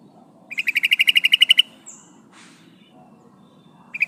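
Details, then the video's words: [8, 'Female yellow-vented bulbul calling for the male, a recording used as a lure. One quick trill of ringing notes, then a high squeak and a soft rustle, and the start of another trill at the end.'] "suara burung trucukan betina memanggil jantan"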